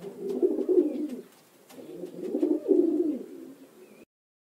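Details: Pigeon giving two low, throaty bubbling coos, each rolling for about a second and a half, with a soft gap between them.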